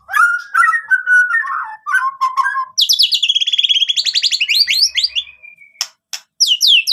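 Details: Lively white-rumped shama song: rich warbled phrases that shift into a long run of rapid high trilled notes, then sharp whistles at the end.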